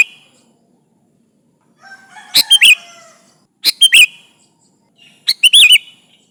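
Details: Persistent sooty-headed bulbul song meant to draw rivals as a lure: three bright, gurgling whistled phrases of several rapid notes, spaced about one and a half seconds apart, with soft lingering tones after each.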